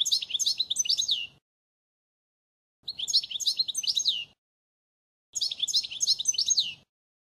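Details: European goldfinch flawless model song from 2016 for tutoring young birds: three bright, high twittering bursts about 1.5 seconds each, of quick tinkling notes and short buzzy slurs, separated by silent gaps of over a second.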